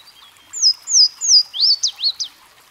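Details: Louisiana waterthrush singing: three clear, high, downslurred whistles followed by a quick jumble of sharply dropping, twittering notes, the whole phrase lasting under two seconds.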